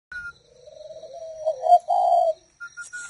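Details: Tame captive spotted dove of a nesting, breeding pair: a low, rough, rolling coo that swells into two louder throaty notes over about two seconds, then brief higher whistled notes and a faint steady high tone in the background.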